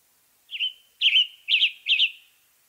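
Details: Western tanager, a medium-sized songbird of western North America, singing four short burry, slightly hoarse phrases about half a second apart, the first softer and the rest louder and rough-edged, with a quiet background.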